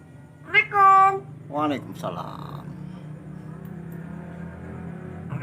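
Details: A common hill myna mimics human speech, saying the Arabic greeting "Assalamualaikum" in two harmonic, voice-like bursts, the first drawn out, followed by a quieter background hum.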